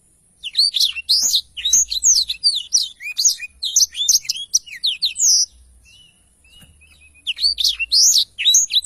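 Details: Black-throated canary in full song, a tutor recording for training songbirds: rapid high sweeping whistles and twitters in dense bursts, a brief pause near six seconds, then the lively phrases resume.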